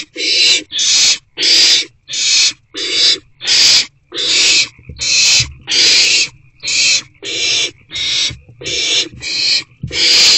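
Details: Excited owlet in a nest box during the night's first food delivery, evening of 4/1/24: loud breathy hissing screeches, roughly fourteen in ten seconds, each a rasping burst with short gaps between.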